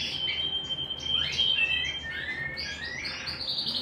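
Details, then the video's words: Canary warbling at home: a held pure whistle with quick ornaments, then swooping rising and falling slides into rapid tumbling trills. "canary bird - canary singing - canary sounds - canary singing at home - beautiful canary birds"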